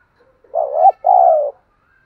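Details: Spotted dove in thúc gù cooing, a prized field-type voice: a wavering low coo ends in a quick hook, followed after a brief gap by a long, smooth, slightly falling coo.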